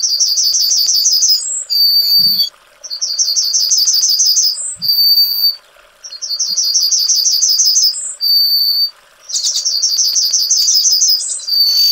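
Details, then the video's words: Yellowhammer (Emberiza citrinella) repeating its song four times in twelve seconds. Each phrase is a fast rattle of high repeated notes finished by a long, drawn-out level note, with brief pauses and faint low thumps between. "Yellowhammer Singing"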